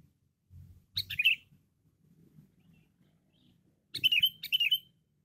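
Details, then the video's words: Loud, chatty sooty-headed bulbul on a lure recording gives a short burst of bright, tumbling whistled notes, then after a pause two more quick slurred phrases. Faint low murmur underneath. "Pikat Kutilang Cengkram Gacor Dor"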